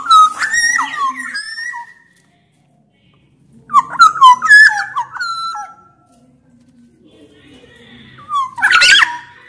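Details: Black-naped oriole (kepodang, Sumbawa type), used as a lure to prompt lazy orioles to sing: loud fluted whistled phrases swooping around mid pitch, repeated in two bursts, ending in a harsh rasping note.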